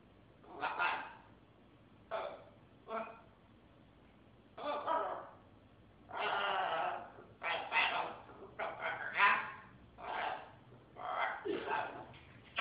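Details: A pet talking military macaw makes about a dozen raspy, speech-like bursts in uneven phrases, each about a second long, with brief quiet gaps between them.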